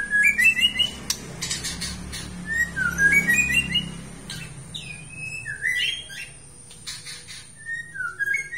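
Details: White-rumped shama of the Aceh type in steady song: rising whistled phrases and quick slurred notes, partly over a low rumbling hum, with scattered brief clicks and noisy bursts.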